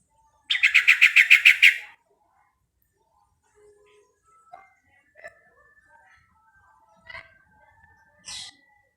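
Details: Sooty-headed bulbul calling to other bulbuls with its typical call: a loud, rapid burst of about ten even, harsh notes lasting about a second and a half, followed by scattered faint chirps and clicks in a quiet background.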